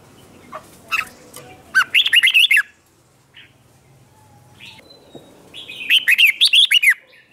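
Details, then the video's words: Red-whiskered bulbul singing competitively to provoke rivals: two loud bursts of rapid, warbled whistled notes, each under a second, separated by a quieter pause with faint chirps. "Kích Chào Mào Hót Ché/ Kích Chào Mào Bổi Hót Đấu Mới Nhất"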